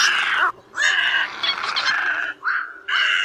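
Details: Little egrets, black-billed, calling the flock, a recording used to lure birds into nets at night; harsh, raspy croaking calls in bursts of about half a second to a second and a half, separated by short silent gaps, several birds overlapping.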